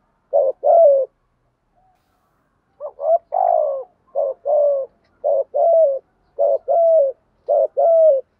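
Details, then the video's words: Spotted dove kept as a decoy, calling to lure and stir wild doves. Low mellow cooing phrases, each a short stuttered double note and then a longer sliding coo, repeated about five times after a pause near the start. The background is quiet. "tiếng chim cu gáy kích bổi và mồi nhanh gáy"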